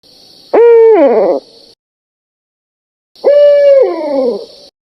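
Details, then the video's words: Two long barred owl hoots separated by a pause of about two seconds, each starting sharply, holding a low tone, then drooping downward at the close. "Bard Owl calls with intermission between calls."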